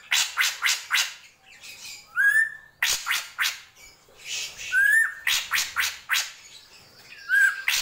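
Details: Gentolang song of a srigunting krantil drongo: fast series of harsh buzzy pulses broken by single rising whistled notes, the pattern repeating in bouts every couple of seconds.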